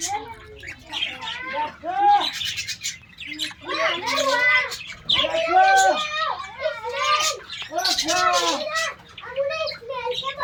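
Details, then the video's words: A colony of Australian parrots calling together: dense, overlapping, warbled and arching chatter notes that rise and fall in bursts, with almost no pauses, over a faint low hum. "Australian Parrots Colony"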